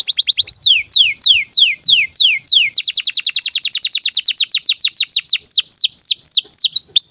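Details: Canary song for training young birds, from a bird in breeding condition: a series of falling whistled swoops, then a rapid rolling run of repeated notes, returning to slower descending whistles.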